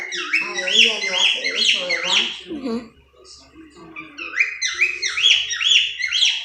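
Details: Pet cockatiel mimicking the phrase "I love you": a run of speech-like syllables, a brief pause, then a series of repeated rising whistled notes. People talk nearby.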